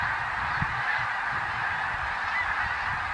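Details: Snow geese in 2014, a vast flock, heard as a seamless, even chorus of high honks blending into one steady din.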